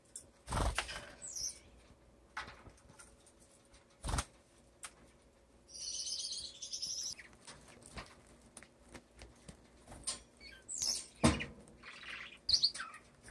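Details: Caged male owl finch practicing his mating dance across the cage floor, perches and feeding dish: a drawn-out, nasal, buzzy call of about a second, then shorter high notes, among sharp clicks and taps from hopping.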